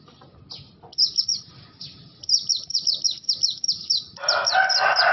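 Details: Oriental white-eye of the kind locally called Bustomi or Buxto, making an unusual sound: rapid, high, thin chirps repeated in quick bursts about four per second, with a harsh, noisy burst near the end and low background rumble.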